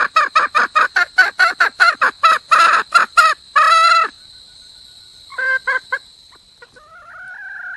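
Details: Red junglefowl hen, wild, seeking a mate: a fast volley of loud, harsh cackling notes, a brief pause, three more notes, then the start of a long, level drawn-out call.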